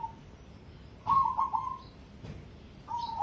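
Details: ['Cemani zebra dove of competition grade: a brief hollow note, then a stuttering three-part cooing phrase and, after a pause, another rolling coo beginning, soft and mellow in a quiet setting.']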